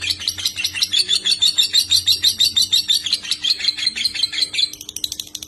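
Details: White-rumped shama (murai batu) master recording of clear competition song with full tembakan bursts, for other birds to copy: fast high chattering notes about three per second, a brighter whistled run midway, steady faint low hum beneath.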